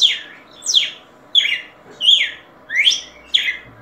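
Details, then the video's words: Red-cowled cardinal singing: six loud, clear slurred notes, each sweeping sharply downward from high to mid pitch, delivered about two-thirds of a second apart with brief silences between, over a quiet background. "Galo De Campina Cantando"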